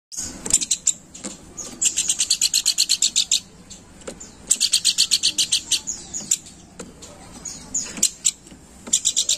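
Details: Planduk bukit bird chattering steadily, used as a lure call: bursts of rapid, high, dry chirps, about four per second, in runs of one to two seconds with short gaps, plus scattered sharp ticks.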